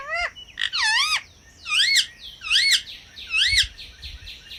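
A parrot gives a string of loud, wavering whistles: a quick rising squeak, then three or four looping, warbled notes about a second apart.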